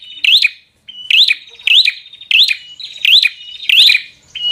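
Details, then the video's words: Bar-winged prinia fighter song aimed at stirring a rival: bright, rising, twangy notes with short whistled tails, repeated steadily about one and a half times a second. "Prenjak Gacor Full FIGHTER Bikin Prenjak Jadi Emosi Lawan"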